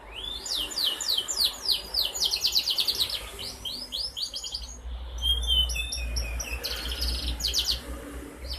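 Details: Four-month-old canary recorded 11 August 2021, singing to spur other canaries on: quick series of sharp, sweeping high notes and rapid trills, followed after a short pause by buzzy rattled phrases.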